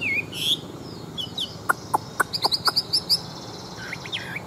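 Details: Chinese hwamei, a wild-caught adult cage bird used in fighting competitions, produces sharp clicking ticks followed by a quick run of high piping notes and a few thin twisting whistles.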